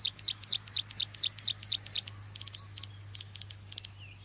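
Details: Trapping lure call of bar-winged prinia: eight quick high chirps, each with a falling flick, about two per second, then fading into softer scattered ticks over a steady low hum.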